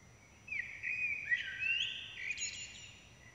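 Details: Common blackbird chicks, fed by both parents, produce an almost continuous overlapping chorus of high, thin, wavering begging squeals for nearly three seconds, ending with sharper upward notes.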